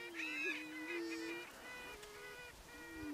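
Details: Greater prairie chickens booming on a lek in the Nebraska Sandhills in April, males sparring while awaiting females; low hooting tones held and swelling, overlapped by higher honking cackles, several birds calling at once.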